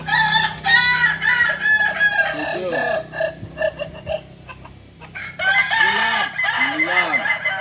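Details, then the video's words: Kukuak Balenggek chicken, a singing breed native to Solok, crowing in long multi-note phrases of stacked, bright tones with rapid arched syllables. The crows overlap and pause briefly mid-clip before resuming. "Ayam kukuak balenggek ayam penyanyi asli solok"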